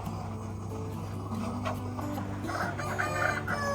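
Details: A rooster on a mountain farm gives a hoarse, rising crow toward the end, over a steady bed of background music with low droning tones.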